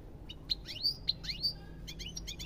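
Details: European goldfinch song, a quick run of liquid twittering notes: sharp downward-sweeping chirps and clear high whistles in close groups, ending in a fast patter of tinkling notes.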